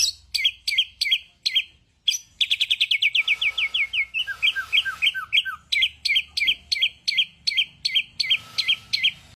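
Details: Bird repeats crisp, looping high chirps roughly twice a second, breaks into a quick falling run with softer lower notes, then resumes the spaced chirps.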